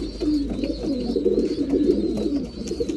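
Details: Feeding time for breeding pigeons, an unbroken low, warbling coo from several birds along with a faint high whistled tone drifting up and down.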